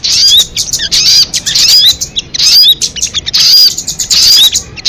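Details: A crested jay gives rapid, harsh chattering bursts broken by quick upslurred whistles, the bursts repeating roughly every second with short quiet breaks.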